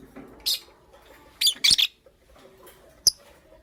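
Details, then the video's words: Green Fischeri and pastel blue lovebirds kept as pets, chirping in the morning. Harsh, shrill squawks come singly and then in a quick pair, ending with one short sharp tick. "Lovebird Chirping Sounds"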